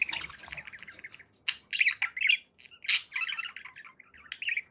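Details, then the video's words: Pet budgerigars chattering, with scratchy warbled phrases broken by several harsh squawks, one loud screech near the three-second mark, and faint low rustling. "1 hour of budgie sounds to keep your pets in happy bird company"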